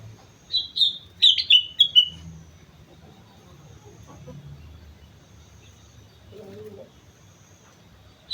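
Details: Sooty-headed bulbul singing on Mount Slamet: one quick phrase of descending, slurred, whistled notes, then mostly quiet with low rumble and a faint lower-pitched call.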